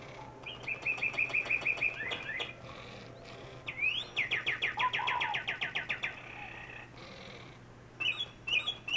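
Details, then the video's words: Northern cardinal: two fast runs of clear, slurred whistles, about a dozen notes each, then a few sharp chips, over a faint steady hum. "chirping cardinal"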